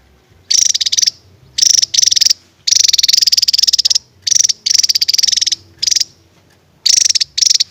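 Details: Rapid high rattles from a Javan tesia in the tembakan style, a sequence of buzzy pulsed bursts of varying length, some running together into longer trills, with short quiet gaps.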